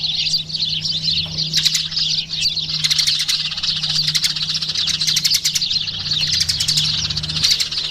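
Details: Eurasian tree sparrows chirping in a dense, continuous chatter of short, bright notes that overlap from several birds, with a few louder sharp chirps standing out and a steady low hum underneath.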